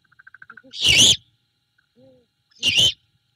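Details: At night on 21 February 2022 at a nest cam in Savannah, a female great horned owl settles with her owlet after feeding it a rat. A quick run of soft ticking notes leads into two harsh, raspy screeches.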